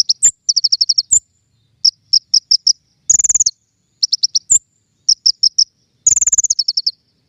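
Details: High-pitched king konin lure song for trapping: strings of four to eight rapid chirps broken by two bright trills and sharp rising whistle notes.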